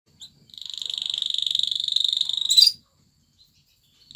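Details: Male canary singing while dancing before a female to court her for mating: a fast, even rolling trill held for about two seconds, ending in a brief harsher burst, then silence.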